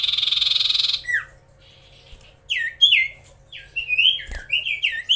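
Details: Common iora singing to rile up competing birds, beginning with a burst of buzzy noise, then repeated slurred, descending whistles in short clusters with brief silences, a soft thump midway.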